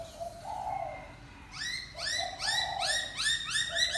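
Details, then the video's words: Laughingthrush singing: a soft low hooting note, then a fast run of loud, clear whistled notes, each sliding downward, repeated about twice a second with rich overtones. No other sounds stand out. "Khướu hót"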